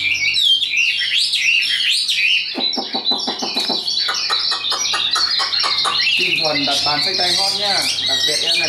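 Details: Tame, hand-carried caged Chinese hwamei kept as a fighting bird, singing high: rapid, varied whistled phrases and slurred notes, with a stretch of lower harsh, voice-like bursts in the middle.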